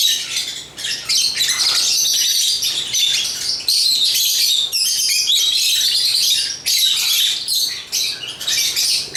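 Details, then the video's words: Several African lovebirds (Agapornis) singing at once, giving rapid, shrill, overlapping chirps and buzzy squeaks that form an unbroken high chatter, pausing briefly now and then. "African Love birds Agapornis chirps singing sounds"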